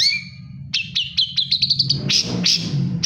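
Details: Long-tailed shrike singing steadily while moulting: a high thin whistle, then a quick run of short bright chirps, ending in rough, louder bursts, over a low steady hum.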